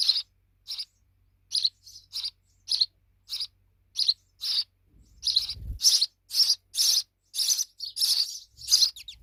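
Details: Young sparrows, fledglings now big, chirping repeatedly in high short notes that grow louder and faster in the second half, with a brief low thump midway.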